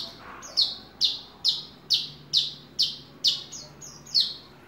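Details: A ringed hobby-kept Horsfield's bush lark repeats a sharp, downslurred high chirp roughly twice per second in an even, regular sequence, with a faint low hum in the background.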